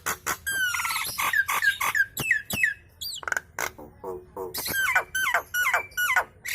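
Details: Nias hill myna in full chatter prompting other birds to call: loud downslurred whistles and hoarse notes repeated about three times a second, with a brief high twitter midway.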